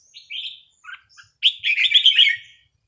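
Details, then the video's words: On a spare-day practice, a red-whiskered bulbul gives a clear whistled note and short chirps, then a rich, fast, tumbling warble lasting about a second. "ซ้อมนกกรงหัวจุก วันว่างๆ"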